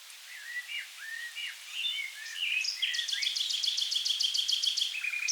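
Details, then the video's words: A common nightingale in the Rhine river wetlands of southern Germany sings varied whistled and slurred notes, then a fast, even run of about fourteen repeated chirps, ending on a lower note. "Nightingale Birdsong"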